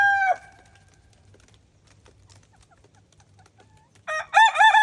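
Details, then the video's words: Araucana chickens on a snowy farm. The tail of one loud crow fades out early, a low hum runs through a quiet gap, then another strident wavering crow begins near the end. "Cock-a-doodle in the Snow"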